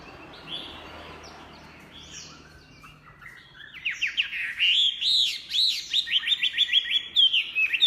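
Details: Chinese hwamei in full, prolific song: after a few quiet seconds, a rapid series of sharp, down-slurred whistled notes repeated more than twice a second, building into bright arching phrases.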